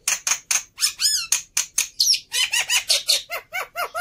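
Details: Overexcited fighter black-winged myna, kept for training other mynas, gives a steady string of hoarse, slurred squawks and squeaky downslurred notes, about three or four each second.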